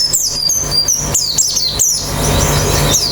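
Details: Brief high descending chips of a white-eye, used to get the bird singing quickly with an open beak: a quick cluster of notes, then a gap with a single later chip, over a low hum.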